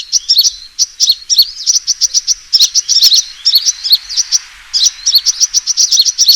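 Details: Sunbird fighting call used as a bird-trapping lure: rapid high, sharp chirps and short trills in dense bursts, barely pausing, with brief gaps of less than a second between runs.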